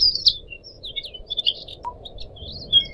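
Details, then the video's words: Captive Pied Triller on a tutoring track for cage birds, trickling water behind: scattered high thin whistles and short chirps separated by quiet gaps. "kicau burung decu kembang"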